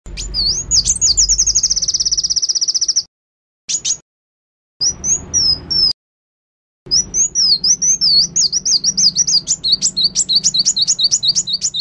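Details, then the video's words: An Oriental white-eye pours out a rapid, very high twittering song of thin wavering notes, broken by brief silent cuts, then chattering quickly again. "Pleci Auri Gacor Ngriwik Bongkar isian"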